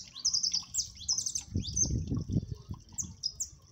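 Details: Jilguero amarillo (siskin) giving 'máquina' style song on a cold day: quick high twitters and slurred notes in rapid bursts, joined midway by low thumping and rustling sounds.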